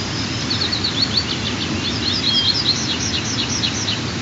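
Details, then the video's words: Two young white-tailed eagles, aged 23 and 25 days, call for food as the first meal of the morning is delivered at the nest, 15 June 2023. Sharp, high, squeaky notes are repeated rapidly in uneven bursts against constant background hum. "First Mealtime of Today 🐣 1-е кормление"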